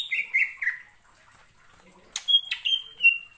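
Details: Greater green leafbird (cucak ijo) singing to spur other birds: a few slurred, falling whistles, a pause, then sharp sweeping notes followed by sustained, level whistled tones.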